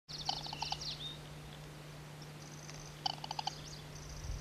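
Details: Band-bellied crake, a rare vagrant, filmed around 18 June 2000 north of Vladivostok: short rattling bursts of rapid pulses, two near the start and another cluster after three seconds, over a steady low hum.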